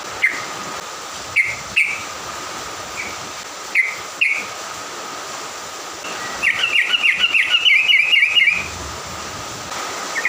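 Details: Songbird in the morning, sung to stir up and provoke other birds: scattered short bright chirps, then a rapid rattling trill lasting about two seconds and one more chirp, over a steady faint background tone and clicks.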